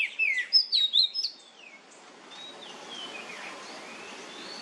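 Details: Oriental magpie-robin (kacer) in the loud nyemplong style, played as a lure to prompt other magpie-robins to sing: a quick run of clear whistled, sliding notes over about a second and a half, then faint thin whistles against a soft hiss.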